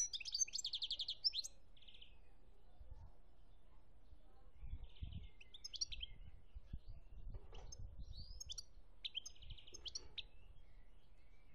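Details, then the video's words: European goldfinch, Algeria, 2017: a brief twittering burst with a buzzy trill at the start, then scattered softer chirps and short buzzes over low rumbling background noise. "chont chardonneret algerie 2017"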